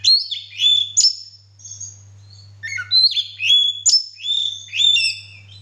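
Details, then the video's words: Male Oriental magpie-robin singing with its tail fanned open, giving a lively run of high, clear whistled phrases that slide and warble, repeated in two similar bursts, with a constant low hum behind. "kacer gacor maennya buka ekor"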